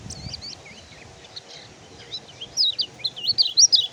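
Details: Oriental white-eye (kecial kuning) song used as a tutor recording for caged birds that stopped singing after moult or fresh capture: rapid high twittering warble, thin wavering notes that build into louder, looping phrases toward the end.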